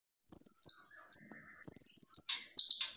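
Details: Kolibri ninja (konin) singing gacor with full tembakan, kept as masteran tutor song: clear, rapid phrases. High, thin whistled notes, some flat and some dropping, come in four bursts with short pauses between.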